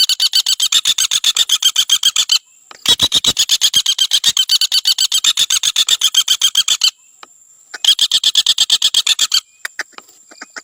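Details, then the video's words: Common Flameback (Dinopium javanense), used as a master recording for training cage birds, gives long, fast, harsh rattling trills of rapid dry notes in three bursts separated by short pauses; a faint thin steady whistle shows in the gaps. "Suara Trotol Pelatuk Bawang"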